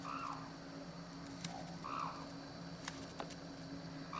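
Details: Captive Black-necked Crane "Lasa" at Akan International Crane Center, Japan, on 8 January 2006, giving short, hoarse trumpeting notes about every two seconds, over a steady low mechanical hum and a few sharp clicks.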